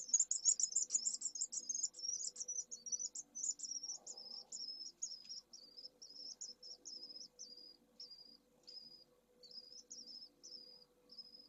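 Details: Two newly hatched second-clutch pallid swift chicks in nest 2 at Esclavas de Jerez, Jerez de la Frontera, during high temperatures. Loud, shrill high cheeps pour out rapidly at first, then slow into short separate peeps about three per second.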